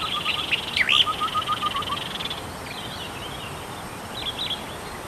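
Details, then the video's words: Tektekreyod bird singing: bright whistled notes and slurred high phrases, with a lower rapid trill of short even notes running beneath, then scattered fainter whistles over steady background hiss. "suara burung tektekreyod"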